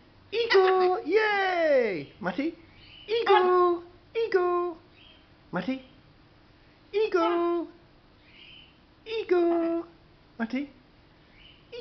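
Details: Pet macaw playing with its favourite towel; a series of loud, sharply falling harmonic calls, roughly five bursts spaced a second or two apart, each sliding downward and ending abruptly, indoors.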